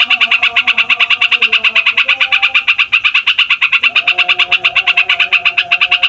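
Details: Long rolling song of a fighter yellow-vented bulbul, meant to provoke other songbirds: an unbroken, rapid stream of bright chattering notes, about three per second or faster, steady throughout, with soft background tones.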